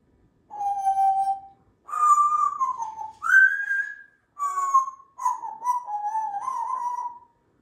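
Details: Female Congo African grey parrot, a pet kept indoors, whistling the Star Wars theme early in the morning: clear, pure whistled notes held about a second each, stepping up and down in a melody, ending in a wavering run of notes.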